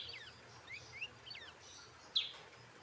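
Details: Hand-raised pet brown-throated sunbird calling with quick thin high chirps and short upward-slurred notes, ending in one louder sharp chip, with a low hum in the background.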